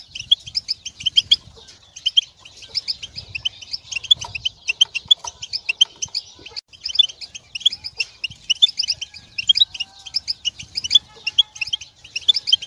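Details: European goldfinch mating calls used to stimulate males to sing and come out of moult: continuous rapid twittering of bright, high chirps and liquid notes, with faint low thumps beneath.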